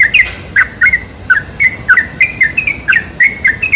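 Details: Sooty-headed bulbul (trucuk) song used as a lure recording to make bulbuls sing: short, bright, bubbly whistled phrases, each with a quick dip and rise, repeated about every third of a second without pause, with no other sounds.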